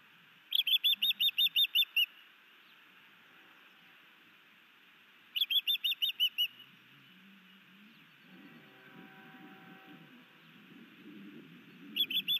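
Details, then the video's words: Male osprey at a Hellgate Canyon nest in Missoula, Montana, in May 2019, sky dancing and bringing a fish to its mate. Three bursts of quick, high chirps, roughly eight notes each, with a low rumbling hum between the later bursts. "Pretty Boy new male Osprey sky dances and brings Iris a fish"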